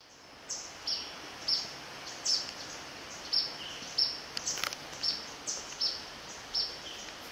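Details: Yellow-bellied Flycatcher on 11 November 2017 at the river section of Zamorano's Eco-Sendero, giving short, high, sharp call notes about once or twice a second over a steady background hiss.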